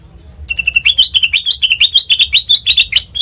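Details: Sooty-headed bulbul song used as a lure for training birds: after a soft start, a fast run of short, bright, slightly rising chirps repeated about seven times a second for nearly three seconds.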